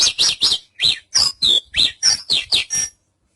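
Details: Javan bush lark rattling off about ten quick notes in three seconds, alternating buzzy chirps with clear down-slurred and level whistles, ending abruptly in silence.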